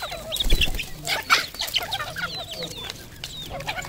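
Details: Red junglefowl on a farm in Cambodia, several birds giving dense, overlapping short clucks and chattering notes throughout, with loud broadband thumps and scuffling near the start.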